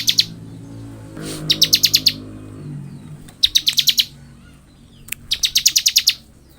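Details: Bar-winged prinia in full ngebren chattering song, delivering four quick bursts of five to seven bright, high, clipped notes at a steady pace, with a low hum and faint rumble underneath.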